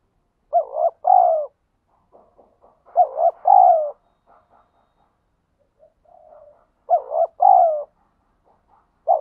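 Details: Spotted dove of the ground type cooing in the wild, thúc gù style: three two-part phrases of clipped, hoarse coos, each ending in a longer falling note, roughly every three seconds, with soft muttering notes in between.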